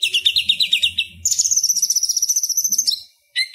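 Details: Purple-throated sunbird song meant for tutoring other songbirds: a fast run of repeated high notes, followed by a long sustained rapid trill on one pitch, ending in a short chirp.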